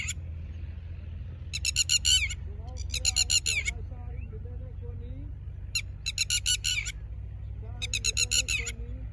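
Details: Red-wattled lapwing at a ground nest where it lays eggs, giving loud, shrill, rapidly pulsed calls in four short bursts, over a steady low rumble with faint voices in the background.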